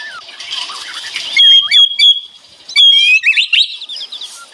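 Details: White-rumped shama, a rattling 'ngeretek' song with birds answering each other: a harsh noisy burst, then long level whistles near mid pitch broken by short sharp notes and quick chattering figures.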